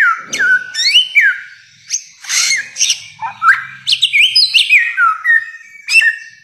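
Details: Bare-throated whistler from Nusa Tenggara, called the spirit bird by the Lio people of Ende, singing loud varied whistles that slide downward and upward, interspersed with harsher chirped notes in a continuous run.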